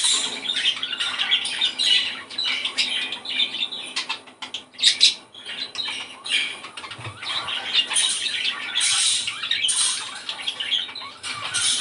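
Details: Budgerigar song meant to stimulate breeding; a dense, continuous scratchy chatter of squawks and warbles, possibly several birds, with wing flutters heard indoors.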